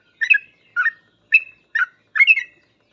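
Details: Yellow-vented bulbul (trucukan) in 'gacor full ropel' style, used as a master recording to teach other trucuk: five short bubbly warbled phrases, each a quick burst of two or three liquid notes, spaced about half a second apart.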